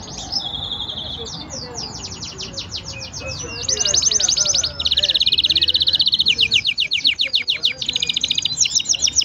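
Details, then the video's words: Green canary in full song, mixing quick repeated falling notes with dense buzzy trills, the rhythm speeding and slowing over soft background noise. "Green canary bird singing"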